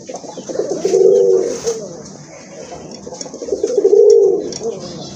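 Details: Domestic and foreign pigeons kept in a collection at a farm in Kashimpur, Gazipur, Bangladesh: two deep, rolling coos about three seconds apart over constant hissy room noise and faint clatter.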